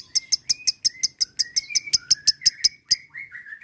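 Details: Lovebird chatter played as a lure for ngekek: fast, evenly spaced shrill chirps with a softer wavering whistle threading beneath, the chirps stopping after three seconds while the whistle trails on.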